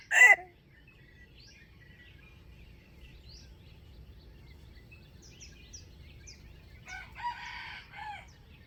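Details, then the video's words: Wild chicken crow from a trapping session dated 05/07/2025. A sharp loud burst opens, then quiet with faint bird chirps, and a distant broken crow follows late on. "Trap wild chicken with standard crowing voice"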